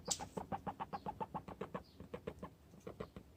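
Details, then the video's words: Strange noise from a four-year-old hen that leaves the nest less often than the rest, maybe starting to go broody: a steady train of short clucking pulses, roughly six per second, continuing for over three seconds. "4yr old hen, strange noise"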